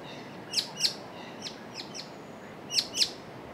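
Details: A White-cheeked Honeyeater darting between perches in the bush, calling to its mate, which answers unseen nearby: sharp, high chips in quick pairs about a quarter-second apart, with softer notes between the louder pairs, over faint hiss.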